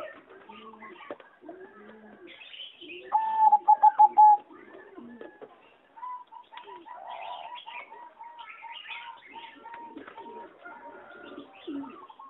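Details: Singing zebra dove, a competition-bred line, in an aviary on 26 April 2014: bursts of rapid staccato cooing notes on one mid pitch, a short loud run near three seconds, then a longer steady series, with other birds chirping around it.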